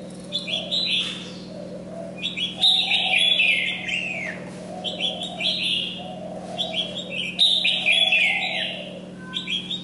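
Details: Caged red-whiskered bulbul singing energetically while molting; loud warbled phrases in separate bursts about every two seconds, slurring downward, with a faint background hum.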